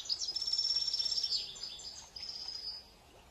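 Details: European goldfinches, including mutation varieties, kept in a large breeding reserve in the Arab world: rapid, high, tinkling twitters and thin sustained whistles running almost continuously, then a brief pause and another twittering burst.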